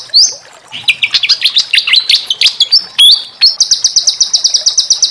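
A rapid, varied run of high sweeping and chirping notes ends in a fast, even trill of bright repeated notes, all very clear with no other sounds.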